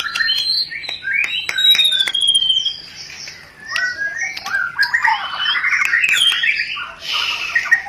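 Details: White-rumped shama chattering rencetan used to bring on mating: a long high whistled slide with sharp clicks, a pause, then a dense rapid rattling chatter.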